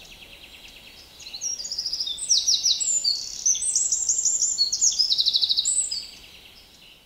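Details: Eurasian wren delivering a vigorous high song lasting about five seconds: tumbling fast twitters and metallic trills at a rapid pace, ending abruptly, with steady environmental noise throughout.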